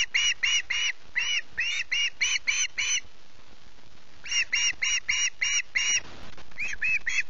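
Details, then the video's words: Early-morning screeching of a hungry osprey chick at Loch Garten, 14 August: bursts of rasping, evenly spaced cries, several per second, broken by pauses of about a second, over a low rumble. "Hungry1C2's early morning screech-fest"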